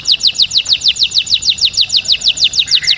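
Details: Singing canary used to train chicks to sing, a rapid run of identical descending high chirps repeated about three times per second, steady and even throughout.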